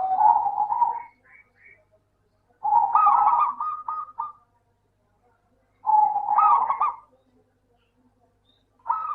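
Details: Zebra dove, local type, singing as a lure for doves that are slow to sing: rolling coo phrases, each starting with a steady tone and breaking into rapid stutters, repeated roughly every three seconds.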